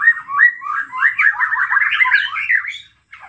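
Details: White-rumped shama lure song meant to excite other shamas into singing: a dense, jumbled mid-pitched warble of quick slurred notes, rising slightly, then stopping abruptly before a brief final note.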